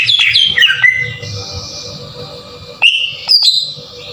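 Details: Short green leafbird lure phrase meant to provoke singing: a few piercing whistles sliding downward, a softer hissing stretch, then two brief loud chirps and a high whistle, over a faint steady hum.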